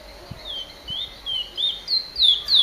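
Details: High whistled finch notes, known locally as emprit, growing louder across the phrase, with soft low knocks and faint background noise beneath.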